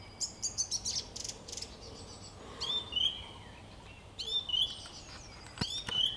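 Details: A song thrush (Turdus philomelos) sings on 26 March 2022 in bright, high phrases: a quick run of sharp chirps, then clear whistled notes repeated in short bursts, over a soft background hiss.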